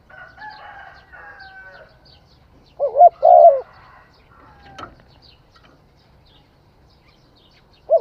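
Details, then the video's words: Spotted dove cooing: soft, faint tonal notes first, then a short low coo followed by a longer rolling coo, and one more coo starting at the very end over a quiet background. "Tiếng chim cu gáy hay"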